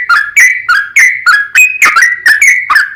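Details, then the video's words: Bright, slurred whistles from a sooty-headed bulbul's long, rapid lure song, used to make other bulbuls sing: each note dips and rises, repeated roughly three times a second. "TRUCUKAN GACOR ROPEL PANJANG Buat PAncingan TRUCUKAN agar Bunyi"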